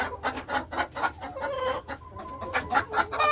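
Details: Laying hens settling into nesting boxes in a farm hen house on a peaceful afternoon; quick uneven clucks mixed with short drawn-out tonal calls, several birds overlapping.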